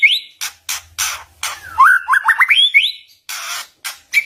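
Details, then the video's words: White-rumped shama song played to lure rival shamas into singing. Harsh squawking bursts and crackles frame a rapid sequence of rising whistled notes, with a low soft rattle underneath early on. "Suara kicauan muraibatu PASTI Ampuh Pancing MURAI LAWAN BONGKAR ISIAN DAN BUAT MURAI DIAM JADI NYAUT"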